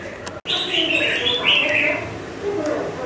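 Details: A red-whiskered bulbul held five months in a cage, young and partly moulted, with a big throat, delivers a run of clear warbling notes that rise and fall in quick succession, after a brief dropout near the start.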